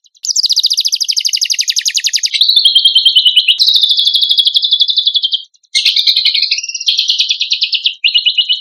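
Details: Continuous black-winged myna song, champion material: a succession of loud fast rattling trills switching abruptly between pitch levels, with one short break around the middle.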